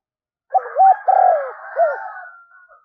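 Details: Spotted dove lure call for attracting wild doves: a quick three-part coo phrase overlapped by a long fading rooster crow.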